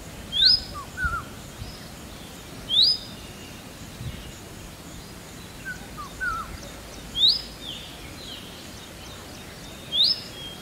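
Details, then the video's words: Indian robin giving a series of bright upward-sweeping whistles, spaced roughly every two to three seconds, each sometimes followed by a lower short twitter, over steady low outdoor background noise. "Indian Robin Calling"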